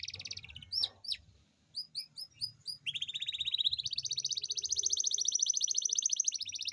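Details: Canary rolling song used as a lure for lazy canaries: brief buzzy trill, scattered sharp chirps, then a long continuous rapid trill rising slightly in pitch, with faint low background noise.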